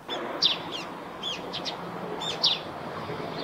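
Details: Near a nest on a roof, a Eurasian tree sparrow utters slurred, high chirps, some paired, with a louder pair near the start and another about two seconds later.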